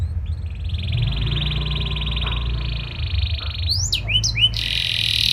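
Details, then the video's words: Actively singing canary meant to make others respond at once: a long rapid rattling trill held for about three seconds, then quick whistled swoops and a harsh buzzy ending, against a steady low-pitched background rumble. "Burung Kenari Gacor Nembak Joss Cengkok Istimewa! Buat Kenari Lain Langsung Nyaut Gak Pake Lama"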